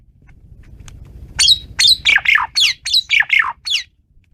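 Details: Asian pied starling singing wildly, a loud run of about ten harsh, squawking downward-sweeping notes delivered rapidly over two and a half seconds, with low background rumble.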